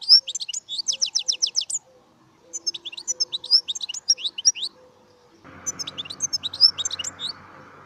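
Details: European goldfinch song in bursts of rapid, high, tinkling notes. Quick trilled runs are separated by short pauses. A low steady hum joins in near the end.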